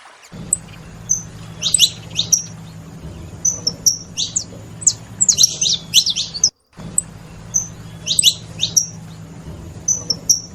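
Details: Saffron finches, several birds, calling noisily: bursts of thin, high, downslurred chirps and sharp twittering notes in irregular groups over a steady low hum, with a brief silent break midway.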